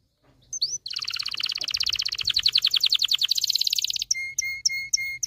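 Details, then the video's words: Excited canary song used to train males to sing and stimulate females for mating: a short upslurred whistle, a long rapid rolling trill of dense repeated notes, then spaced sharp whistled chips over a low tone. "غناء طائر كناري لتدريب والتسميع ذكور الكناري على الغناء Canary singing"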